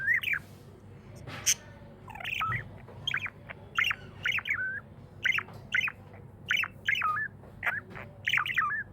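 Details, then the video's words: A happy pet budgie chirps in a regular series of short squeaky warbles, roughly two each second, each note dipping then rising, after one loud click near the start; low hum behind. "Happy budgie chirping sounds"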